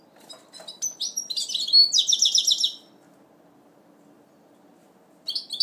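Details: First-moult goldfinch mule from 2012 giving a burst of rapid, scratchy twittering and trilled notes for about two seconds, then a long silence and a brief fresh start of chirps.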